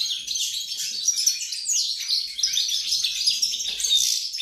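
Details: Goldfinch singing on 28 November 2020, a fast liquid twitter of clipped chirps, buzzy trills and sharp whistled notes tumbling together nonstop, loud and high-pitched throughout.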